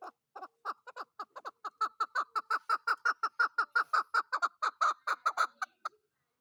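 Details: Chukar partridge, the chakor or keklik, calling in a steady rhythmic series of clucking notes that speed up and grow louder, nearly three per second, then stop abruptly.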